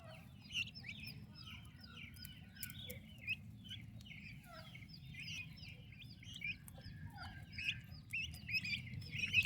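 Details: Turkey chicks kept with their mother, described as healthy and active. A dense chorus of high, overlapping peeps runs through the whole stretch, with many short rising and falling chirps and a steady low rumble beneath.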